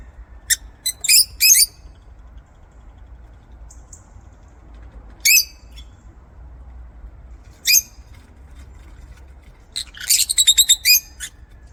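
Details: Lovebirds kept in an aviary: sharp high squeaks and harsh chirps in short clusters, separated by pauses of a few seconds, closing with a fast stuttering run of rapid chattering notes.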